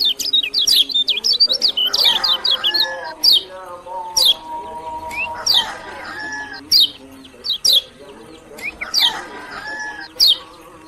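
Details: Lemon-bellied white-eye of Lombok opens with a quick run of high twittering notes, then gives spaced sharp descending chirps over steady lower harmonic tones that recur every couple of seconds.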